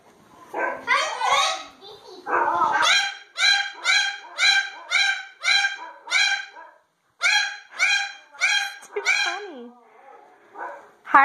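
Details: Pet cockatoo barking like a dog. Harsh, nasal bark-like calls repeat about twice a second in two runs separated by a short pause, ending with a few lower, wavering squawks.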